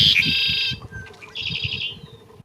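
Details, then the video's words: Red-winged Blackbird song, typical of US marshes: a sharp opening note, a harsh buzzy stretch, then a quick, rattling trill of high notes fading away, over a low background rumble. "this is the song of the redwinged Blackbird and if you've ever been to a marsh in the United States you've probably heard this noise before"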